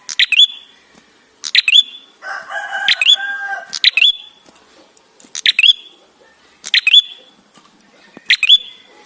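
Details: A prinia, its call used as a lure to prompt other birds to sing, gives sharp, high, snapping chip notes about every one and a half seconds, with a brief lower harsh chattering phrase in between.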